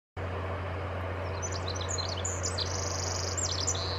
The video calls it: Pacific Wren Singing